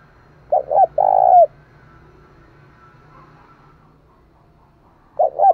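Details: Cooing of a decoy spotted dove meant to draw in wild birds. One complete phrase of two short notes and a long level coo, with the next phrase starting about four and a half seconds later. Faint low hum behind.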